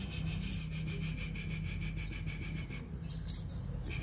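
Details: A competitively singing sunbird delivers shrill, high-pitched whistled notes, each with a short rising flick, spaced about three seconds apart, with softer thin twitters between them over a low hum.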